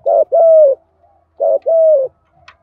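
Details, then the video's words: Thổ-style spotted dove coo, female and male, meant to stir decoy birds: two phrases, each a brief low note and a longer smooth coo sliding gently down at the end, with a faint click. "chim cu gáy Giọng Thổ thúc gù giọng hay hạp bổi nhất hiện nay"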